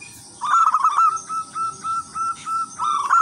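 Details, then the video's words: Local wild zebra dove in lively, melodious song used as a decoy for other zebra doves: a trilled opening followed by a steady run of soft, evenly spaced coos and a closing trill. "perkutut lokal alam gacor irama merdu jadi pancingan semua perkutut"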